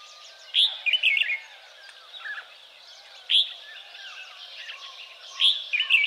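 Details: A red-whiskered bulbul, an escaped cage bird, recorded in Kaohsiung on 30 May 2015, gives loud, bright chirping bursts of quick, warbled notes every few seconds over a faint chorus of other birds.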